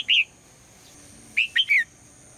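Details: Female red-whiskered bulbul calling in the morning to prompt the male to sing: a single bright whistled note, then after a pause a quick three-note phrase of clear whistles, the last sliding downward.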